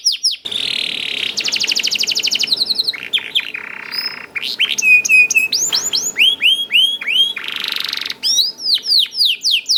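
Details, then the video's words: Energetic song of a young canary, meant to get other canaries singing, opening with a dense buzzy roll and rapid trill, then whistled notes and a run of rising swooping calls. "KENARI GACOR DOR NGEDUR NGOTOT CUIT CUIT NGEROL AMPUH PANCINGAN KENARI PAUD"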